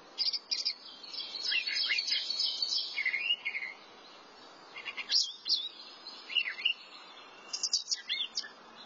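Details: Thrasher song made of varied phrases: a long scratchy jumble of high notes, a downslurred whistle, then separate bursts of sharp chips and squeaky notes.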